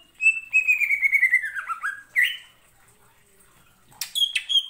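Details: Greater green leafbird (cucak ijo) in energetic song used to stir other birds to sing: a long, fluttering whistled trill gliding steadily downward, a sharp upward flick, a silent gap, then clipped high whistles.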